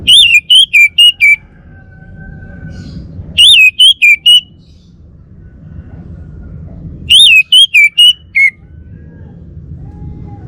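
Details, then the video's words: Bali orange-headed thrush, a male, repeats a bright phrase of five or six loud, slurred whistles three times, roughly every four seconds. Quiet hum fills the gaps. "Kicau Burung ANIS MERAH Bali Jantan"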